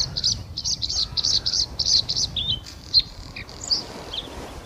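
Bluethroat giving a quick series of high, thin chirps, about eight in two seconds, then scattered sharper notes and twitters; faint low rumble underneath.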